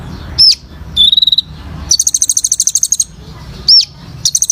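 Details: Olive-backed sunbird singing energetically, played as therapy to prompt silent birds to sing: high looping whistles alternate with rapid buzzy machine-gun trills, the trills repeated in fast bursts, with a low hum underneath.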